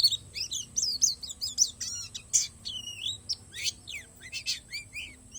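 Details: Borneo palas Oriental white-eye singing isian alam: varied high chirps, a few buzzy bursts and looping whistled notes, delivered in an irregular string over a soft low hum and a steady high whine.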